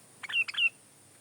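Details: Sooty-headed bulbul song, recorded as a tutor and lure recording: one short bubbly phrase of two quick clustered notes, each ending in a bright slurred whistle, lasting under half a second.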